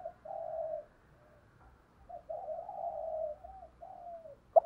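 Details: Spotted dove decoy, 'thổ' voice, cooing to attract males: soft, drawn-out low coos with gentle falling ends over a faint background hiss, a sharp click at the close.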